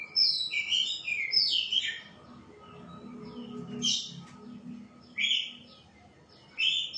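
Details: White-rumped shama delivering two rich, tumbling whistled phrases, then short separated bursts of bright notes after long pauses.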